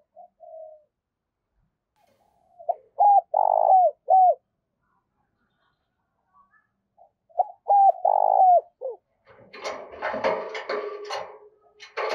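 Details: Spotted dove calling to lure wild doves: low cooing phrases of short notes, then a long note that bends down at its end. Two phrases are separated by silence, followed by rustling, clattering noise.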